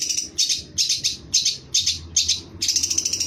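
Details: Long-tailed shrike in lively song, giving harsh, buzzy high bursts repeated roughly every half second, each a short raspy chatter, with faint low room hum beneath.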